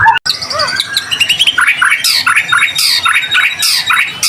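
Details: White-rumped shama, a gacor (persistently singing) bird used as a lure to prompt other shamas to sing: loud varied song of rapid whistles, slurred notes and buzzy, harsh bursts in quick succession, with several overlapping phrases.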